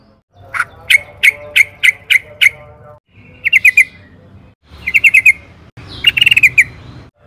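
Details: Yellow-vented bulbul lure recording meant to get cage birds singing: short bursts of quick repeated chirps, six, then three or four per group, separated by cut-in pauses with faint background hum.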